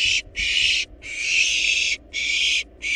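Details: Harsh, rasping hisses from wild barn owl nestlings in a nest box while devouring a large rabbit, bursts of uneven length following one another with brief silent gaps.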